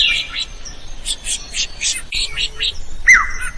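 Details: Drongo in full song, used as a model for teaching other birds: quick varied chirps and short buzzy notes in bursts, ending in a loud sharp note that slides downward.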